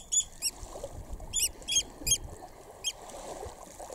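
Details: High, clear oystercatcher chick peeps at close range, RSPB Snettisham, Norfolk, UK, 19 July 2016; about seven short notes in irregular spacing over quiet background hiss.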